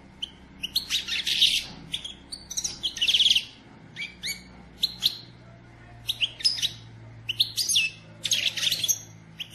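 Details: Female European goldfinch, kept as a pet, calling to stimulate the male to sing and become excited: rapid high liquid twittering and tinkling chirps in dense bursts with brief pauses, over a faint low hum.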